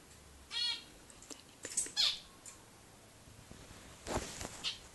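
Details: A three-week-old baby zebra finch gives short, harsh, buzzy calls, several spaced a second or two apart.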